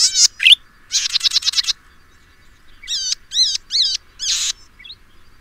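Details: Golden-headed cisticola of the endemic Taiwan subspecies, a resident of lowland grassland, marsh and scrub in Pingtung County, Taiwan, 2015: a buzzy rasping burst, a fast run of ticking notes, then four bright slurred whistles with a final harsh buzz.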